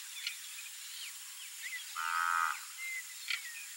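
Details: A red-winged tinamou (Rhynchotus rufescens) calls at sunset with a mellow, fluted half-second note and then a clear rising whistle, over a steady hiss of insects and scattered small bird chirps.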